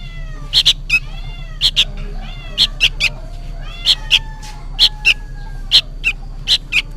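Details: A young sooty-headed bulbul calls loudly as though for its parent, giving clipped high chirps in twos and threes roughly every second, over a constant low droning background.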